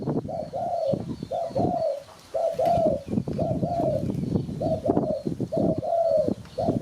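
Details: Spotted dove cooing for use as a bird-catching lure: repeated mellow coos, each a short note run into a longer drawn one, about one per second, against crackly low clatter and faint high twitters.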